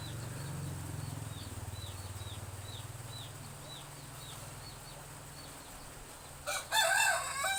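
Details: Domestic chicken chicks in a rural village yard on a drizzly morning give a run of short downslurred cheeps, several per second, with low humming underneath, then a loud rustling clatter near the end.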